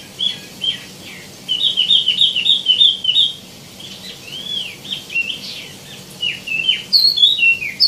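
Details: Tieumi, also called wambi mini, in full, rich song: a run of high, quick, warbling chirps and slurred rising-and-falling whistles, pausing once and then resuming with sharper downward notes.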